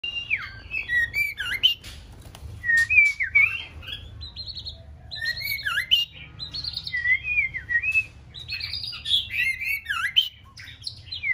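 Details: Six-month-old female white-rumped shama practising its song: a busy run of varied whistled notes, slurred up and down with quick chirps and trills, phrases pausing briefly and restarting, low steady hum beneath.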